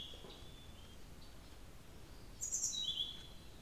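Blue-throated flycatcher giving thin, high whistled notes, a faint opening phrase then a brighter pair of sweet notes near the end, over low steady background hiss.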